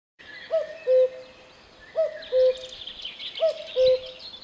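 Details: Cuckoo calling three times, each a low two-note 'cu-koo' with the second note slightly lower and longer, repeated about every one and a half seconds, over a background of faint chirping from other small birds.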